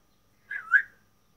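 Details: Male African grey parrot at its first time speaking: a brief two-part whistled sound, a bright slurred note dipping slightly, then a louder rising-and-falling note, in a quiet room.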